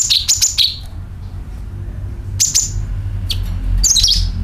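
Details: Sooty-headed bulbul calling as a bird-attracting lure, with rapid, high chirps falling to a lower note at the start, a quiet gap, then isolated chirps and another descending burst near the end. Faint low rumble throughout.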